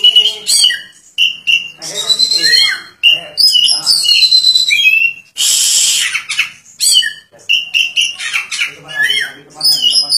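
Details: Oriental magpie-robin in full, insistent song with its tail fanned wide: a long run of loud varied phrases mixing pure whistles, rapid twitters and harsh buzzy bursts, broken by brief pauses.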